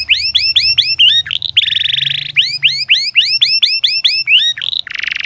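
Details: Canary song for training reluctant young canaries to sing: series of rising whistled sweeps in quick rows, broken by a harsh buzzy roll, then more sweeps and a final buzzy trill.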